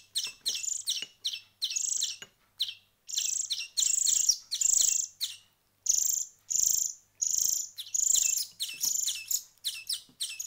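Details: Songbird nestlings, hand-reared for one week, give quick high chirps and then longer buzzy, hissing wheezes in an uneven rhythm of about eighty bursts a minute.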